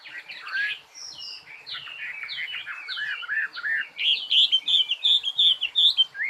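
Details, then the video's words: Bird singing a long tumbling warble: jumbled twittering notes at first, then clearer ringing whistles repeated in a quick, fairly even rhythm. "Chim hót"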